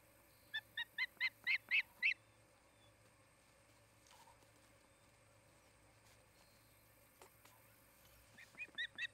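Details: An osprey at a nest in Charlo, Montana, on the afternoon of 8 August 2018 gives a quick run of about seven sharp, whistled chirps, then goes quiet before another burst, over a low steady hum.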